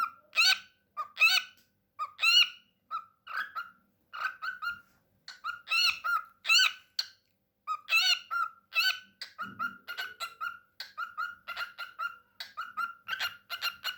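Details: A talkative pet cockatiel sings a steady run of bright, harmonic whistled notes and chattery syllables.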